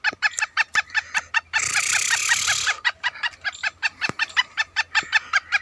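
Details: Caged Black Francolin, described by its owner as lively, calling outdoors: a rapid run of harsh, clipped, evenly pulsed notes, roughly two or three per second, broken midway by a brief burst of loud rustling noise.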